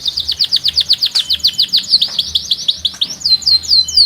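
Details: Strong canary song with a distinctive rhythm: a steady rolling trill of high downward-slurred notes, about four per second, changing into faster chattering and then slower ringing slurs.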